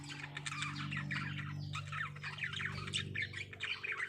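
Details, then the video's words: Breeding lovebirds calling together: rapid, scratchy squawks and short chirps crowd one another in a dense chatter over a constant low hum. "Love Birds Singing"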